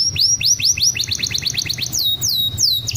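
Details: Champion canary singing as training master: slurred rising then falling whistled notes in quick succession, followed by a run of crisp rapid chips and a few bright swooping whistles, with a low background hum.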